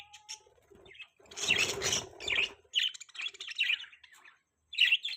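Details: Budgerigars make rasping, buzzy chatter broken by short, bright chirps, ending with a clear double chirp.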